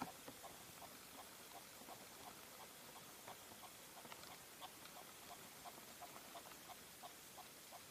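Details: Red-legged partridge (Alectoris rufa) calling: a faint, steady series of short, husky chuffing notes, several a second, over a constant background hiss.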